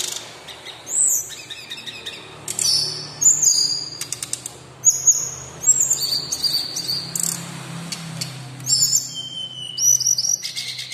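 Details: Lively local brown-chested jungle flycatcher kept as a songbird sings a long run of piercing high whistles, stacked level notes and brief buzzy rattles, phrases arriving every second or two with faint low hum behind.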